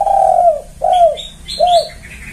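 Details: Spotted dove giving a loud, clear lure call used in Indonesia for drawing in doves: a long mellow coo, then two shorter falling coos, with high thin chirps of another bird in the background.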